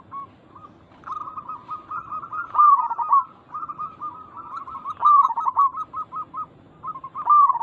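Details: Local zebra dove call used to make other zebra doves respond: repeated rolling, bubbling coos, each building to a loud warbled peak, separated by strings of short clipped whistled notes, roughly every few seconds.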